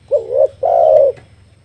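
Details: Spotted dove used as a trapping lure, giving one two-part coo: a short wavering note, then a longer, louder, steady hooting note; faint low hum behind.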